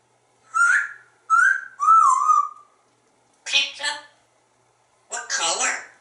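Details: Pet African Grey Parrot at home in Texas, giving three clear whistled notes, the last sliding down, then two short speech-like phrases, indoors.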